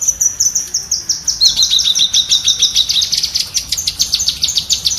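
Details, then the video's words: Cucak kinoi bulbul chattering, as tutoring audio for cage birds: sharp high notes fired rapidly, some dipping slightly lower mid-sequence, in an unbroken rhythmic rattle. "Masteran tembakan burung cucak kinoi"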